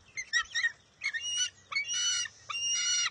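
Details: Young bald eagle at its nest on June 23, 2021, contesting a fish the mother grabbed: harsh, high squealing bursts, several quick chittering notes then longer strained squeals, loud and close.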